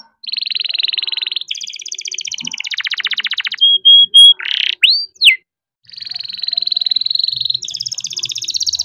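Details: Young canary from a breeding aviary in steady rolling song, intended to spur lazy canaries: long even buzzy trills, a few short whistled and swept notes, a brief pause, then more trilling rising in pitch.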